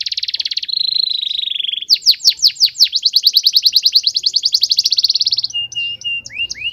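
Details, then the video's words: Canary in fierce song. A dense buzzy trill is followed by a long run of sharp, rapidly repeated chips that climb in pace. The phrase ends with scattered sweeping whistles over a faint low hum. "KENARI BOJO GALAK"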